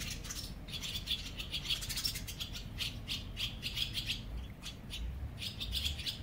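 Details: Barn swallows at a colony under a bridge in Mercer County Park, New Jersey: a string of short, high chirps and twitters repeated rapidly across the clip, with steady low background rumble.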